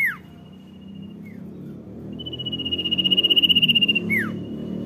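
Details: Common iora singing 'dor nyiul': a quick downward-slurred note and a short faint whistle, then a long pulsing high whistle building in volume and finishing with another sharp descending slur, over low background noise.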